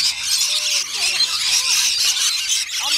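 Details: A crowd of rainbow lorikeets being fed on Magnetic Island near Townsville, Queensland, Australia, shrieking constantly in a thick high-pitched chorus, while people's voices murmur underneath.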